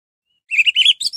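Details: An orange-headed thrush in lively song gives a quick burst of bright, warbled notes, then higher squeaky phrases, in about three-quarters of a second. The recording is meant to provoke other orange-headed thrushes into singing.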